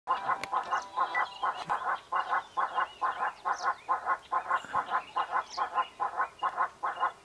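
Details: Monteiro's hornbill in Erongo Wilderness Reserve, Namibia, giving a loud, steady series of hollow clucking hoots at about two per second. Faint higher bird notes sound in the background.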